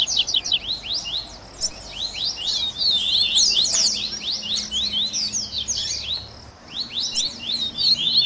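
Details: Double-collared seedeater 'esquenta' recording used to get a captive bird singing: busy, high, slurred chirps in rapid overlapping phrases, with one short gap before the final burst.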